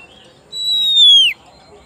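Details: A single loud pure whistle from an oriental magpie-robin calling its rival, held steady then dropping sharply at the end, close and clear over quiet background.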